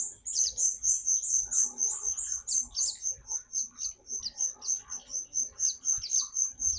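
A white-eye sings a very high, thin, twittering song of quick chirps, about four each second. The chirps run on steadily, with faint background rustle.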